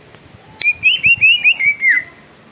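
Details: Greater green leafbird delivering a short rich warble of linked whistled slurs, rising then falling, lasting about a second and a half, with faint low thumps underneath.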